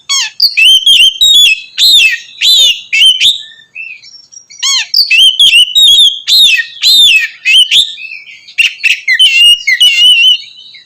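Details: Loud Oriental magpie-robin song, sung to provoke rival magpie-robins; clear rising and falling whistles alternate with rapid chattering bursts, phrases separated by short gaps.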